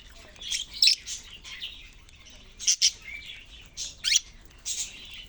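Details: Budgerigars kept in a cage give scattered high chirps and short squawks in bursts, with quieter twittering between the louder notes.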